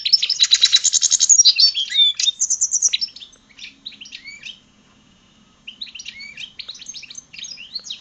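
A goldfinch–red siskin hybrid sings a rapid, high twittering song of buzzy trills, liquid chirps and slurred notes, pausing briefly before resuming.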